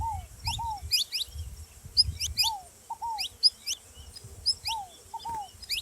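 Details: Repeated high, sharp chirps and rising notes from a saffron finch, interleaved with lower paired downslurred notes roughly every one to two seconds, in a quiet setting with soft low noise.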